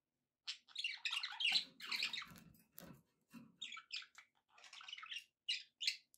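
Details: Contented pet budgerigars keep up a lively, rasping warble of short bursts, squeaks and clicks, with brief pauses between phrases and a faint low rustle beneath.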